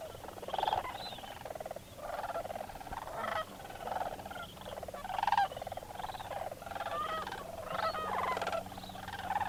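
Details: Large flock of wintering sandhill cranes waking at sunrise and taking off from their overnight roost on a frozen wetland pond at Bosque del Apache NWR, New Mexico, calling in a dense chorus of rolling, rattling bugles that overlap and swell every second or two, over faint low rumble.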